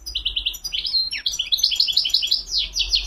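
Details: Fast, continuous goldfinch song of high, bright twittered notes, with a quick downslurred note midway, then a stream of repeated chirping syllables, European goldfinch close and loud.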